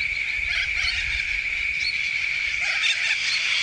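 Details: A flock of corellas in the Grampians, Victoria, Australia, screeching together, a dense wash of harsh, overlapping high squawks with a steady shrill hum running through it.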